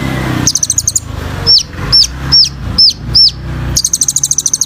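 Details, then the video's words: Olive-backed sunbird song used as singing therapy: a short high trill, then five evenly spaced, down-slurred whistles, ending in a long, fast, buzzy trill over a faint low rumble. "KOLIBRI NINJA GACOR FULL ISIAN TEMBAKAN"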